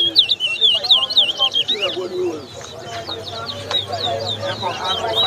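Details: Chestnut-bellied seed finch (Sporophila angolensis) singing in a bird singing competition in Lusignan, Guyana, 2022: fast, high, looping whistled phrases in quick bursts, over people talking and music.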